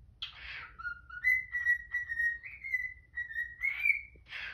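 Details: Indoors in the morning a cockatiel whistles a tune of level, slightly rising notes, framed by rough squawks from a protesting Quaker parrot at the beginning and end.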